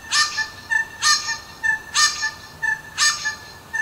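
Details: Little wattlebird calling in Melbourne around 5am in the morning: harsh, raspy, honking bursts repeated about once a second, each followed by a softer note, with a steady high tone and faint hiss behind.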